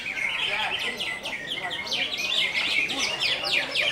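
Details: Greater green leafbird song of the "konslet" type, fast and crowded with sharp high twitters and slurred, descending chirps that run on continuously, growing slightly louder toward the end.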